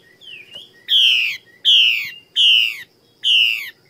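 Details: A female Chinese hwamei from Vietnam's Northwest highlands gives a soft rising whistle, then four loud, rasping, downward-sliding notes about every three-quarters of a second.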